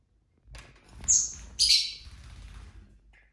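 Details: Household lovebirds chirping and bickering: two shrill, screechy squawks half a second apart over a steady background of rustling and movement.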